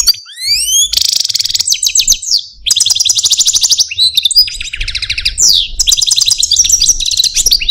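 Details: Pet Algerian parva European goldfinch, a caged male, in full complex song: rising whistled slides open into long bright tinkling trills and buzzy twitters, with a brief pause midway, then more chattering phrases.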